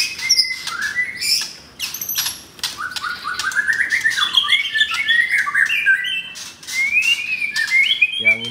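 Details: White-rumped shama, F4 blorok, kept caged at a Kemayoran, Jakarta bird shop, gives varied whistled phrases that rise in stepped runs, with harsh squawky notes and clicks between them; a low voice sounds at the end.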